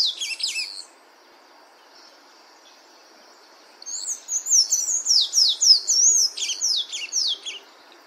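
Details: Sayaca tanager singing in nature: a brief burst of squeaky, high twittering notes, a three-second pause, then a rapid four-second run of thin, slurred, squeaky notes rising and falling, over a faint steady background hum.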